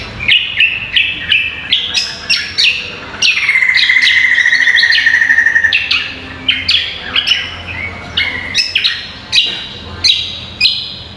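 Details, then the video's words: Vigorous cucak kombo song meant for training competition songbirds: rapid bursts of sharp, ringing whistles broken by a long buzzy trill held for about two seconds, then a return to quick varied phrases. "MASTERAN AMPUH BURUNG CUCAK KOMBO GACOR"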